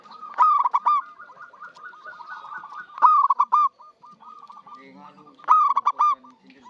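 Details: A keen-singing local zebra dove, used as a trapping lure, delivers three loud broken cooing phrases. Gentle continuous cooing trills from other doves sit underneath.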